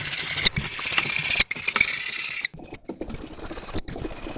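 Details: Kestrel fledglings, now flying but still with their parents, chase their father and beg for food with shrill, rasping calls, about four a second, loud then fainter after a pause; Théding, France, 19 July 2023.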